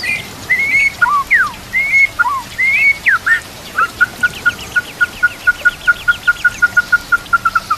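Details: White-rumped shama (murai batu) song used to train other murai: several fluty, bending whistled phrases, then a long run of identical short notes repeated about three times a second.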